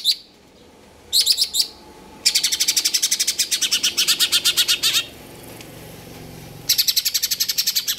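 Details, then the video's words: Greater green leafbird (cucak ijo) singing in the kejer nembak style: short high sweeping notes, then long bursts of rapid, evenly pulsed shrill high notes lasting several seconds, separated by brief pauses, with little background noise. "cucak ijo konslet kejer nembak"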